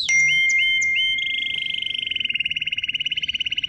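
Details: Canary song opening with a few short upslurred whistles, then a long, even, rapid rattling trill at a steady pitch over a thin sustained high tone.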